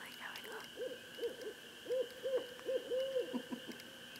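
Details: Barred owl called in by a person: soft, evenly spaced arched hoots, about eight in four seconds, with one longer drawn note, over a steady background hum.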